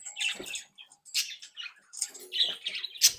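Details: Flock of captive-bred budgerigars, happy, active and playful, chattering indoors: dense warbling chirps and squawks mostly high-pitched, overlapping voices in bursts with short pauses, a sharper squeak near the end.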